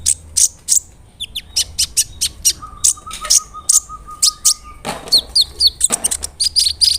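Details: Brown-throated sunbird in full song, played as a lure to anger other sunbirds: quick high piercing chirps in series, a long steady low whistled tone underneath, then brief noisy bursts and downslurred notes.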